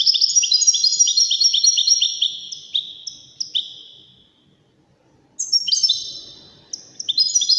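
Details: Waddani European goldfinch song for training goldfinch chicks and hybrid birds: rapid high chirping runs, a few isolated notes trailing off into a quiet pause, then the twittering resumes strongly.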